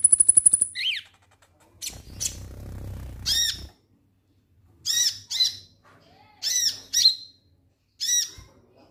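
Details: Konin lovebird 'ngek ngek' squawking for prompting other birds to sing: a brief high buzzy trill, then harsh shrill squawks in pairs spaced about every second and a half, with some low background rumble.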